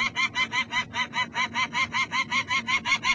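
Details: Peregrine falcon alarm call at the Columbus, Ohio nest, recorded 16 May 2008: harsh, rapid kak-kak-kak notes repeated about two and a half times per second, steady and strong through the whole stretch.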